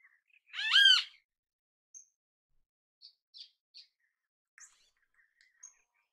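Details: Great kiskadee in natural habitat: one loud, raspy, arching note near the start, followed by scattered faint high chirps and ticks from other small birds.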